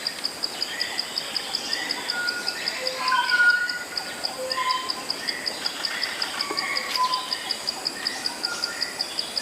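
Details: Malaya black magpie, locally called takar kambing, singing: a run of short whistled notes at varied pitches, some low and hollow, others higher, over a steady pulsing insect buzz.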